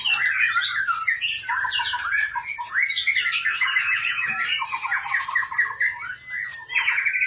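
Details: Caged contest white-rumped shama of Gunung Leuser, Aceh, Indonesia, performing ngerol rolling song: varied fast phrases mixing sharp high whistles, rattling trills and mimic-like squeaky notes, delivered almost without pause.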